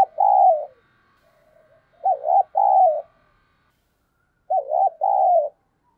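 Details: Spotted dove kept as a decoy, calling to incite wild doves to fight. Three loud coo phrases, the later two double, with a quivering first note and a longer mellow second.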